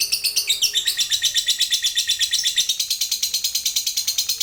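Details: Fighter lovebird in a long 'ngekek' chatter meant to set other lovebirds trilling; after a short higher opening flourish, steady rapid pulses of shrill, buzzy notes repeat evenly to the end.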